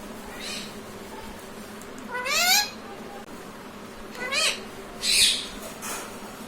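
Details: Talking pet parrot, said to say mummy papa, makes three nasal, voice-like calls, each rising slightly, about two seconds apart, over steady low background noise.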